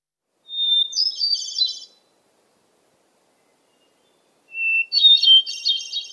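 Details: Hermit thrush song played in a bird-song talk in Maine, May 2022: two phrases about three seconds apart, each opening with one clear held introductory note before a high, ringing, flute-like flourish.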